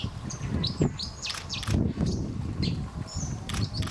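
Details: White-throated dippers (Cinclus cinclus) in a territorial fight on the Thin river at Warby, France, give sharp, high, metallic zit calls in quick irregular bursts over the low roar of rushing water.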